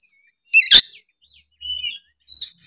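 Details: Oriental magpie-robin singing gacor, played to spur other magpie-robins into song: one loud harsh chirp, then softer thin whistled notes rising and wavering.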